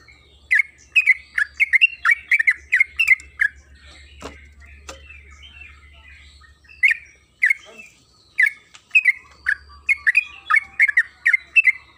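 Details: Yellow-vented bulbul (trucukan kebo) used as a lure to make another bird sing: bursts of bubbly, fluted notes near the same pitch, rapidly chained, with a quiet gap mid-way before the chatter resumes.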